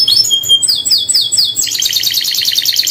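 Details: Canary in full song: high whistled notes, a series of repeated sweeping syllables, then a long rapid buzzy trill.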